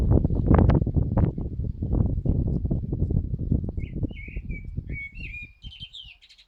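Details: Common blackbird singing, its fluted whistled notes arriving only in the second half, falling and rising phrases that end in a higher twitter, after several seconds of loud low rumbling noise.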